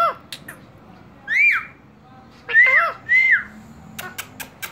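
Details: A pet talking parrot whistling and dancing gives three clear, arching whistles, rising then falling, about a second apart, followed by a few sharp clicks.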